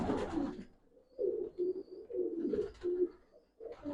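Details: Domestic pigeon indoors in a loft room in Pakistan, a batera male paired with a pearl-eyed female; a series of low, soft, throaty coos in short pulses, with rustling and a brief louder noise at the start and end.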